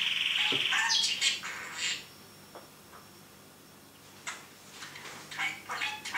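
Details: Caged pet parrot talking, here giving loud harsh squawks and chatter at the start, a near-silent middle stretch, then more bursts of shrill calls near the end.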